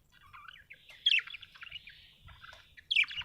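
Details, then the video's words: Happy budgerigar chirping: soft, scattered warbled notes with two brighter, louder chirp bursts near one second and near the end, over a faint low rumble. "Happy budgie chirping sound"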